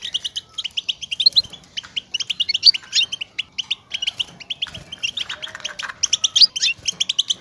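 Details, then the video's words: Excited goldfinch twittering to stimulate singing and mating in caged males. Dense trains of ringing, clipped chips pour out in bursts of several notes, with occasional louder squeaky accents. "بتبتة الحسون, لمساعدة الذكور على التغريد و التزاوج"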